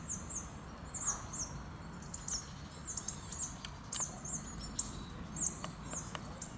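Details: Hawfinch near Levice in late February gives sharp, very high, clipped ticking calls, several per second at times and irregularly spaced, over a steady low rumble of background noise.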